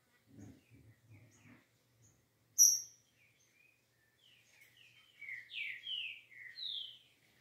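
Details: Green-winged saltator delivering its smooth 'liso' song: a few soft chirps, then one sharp high note, then a flowing phrase of about six rich, slurred whistles that fall and rise. Low rumbling knocks are heard at the start.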